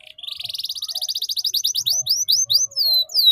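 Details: Canary teaching song for young birds to learn ngeriwik: a long, rapid, even trill that gradually slows into separate rising-then-falling whistled slurs, roughly twelve notes. Quiet background.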